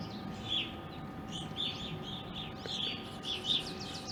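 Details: Backyard evening grosbeaks in Ohio during April after wintering there, giving scattered short high chirps and slurred call notes amid a constant electrical hum and low outdoor noise.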